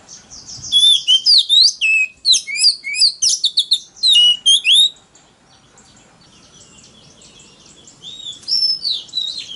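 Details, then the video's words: Oriental magpie-robin singing a loud challenge song used to provoke rivals: rapid run of clear whistled notes and slurred rising and falling phrases in the first half, a quiet pause, then softer varied twittering. "choè than mồi kích bổi đấu GIỌNG CỰC TO"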